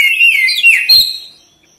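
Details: Brief phrase from an Oriental magpie-robin (kacer) in vigorous song: bright, warbling whistles that break into a sharp upward note, then fade quickly to silence.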